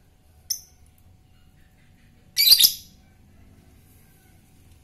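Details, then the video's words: Fighter lovebird recorded to stimulate other birds: a brief high chirp, then a harsh grating chatter burst lasting under a second, with quiet between. "lovebird fighter ngetik merangsang ngekekk"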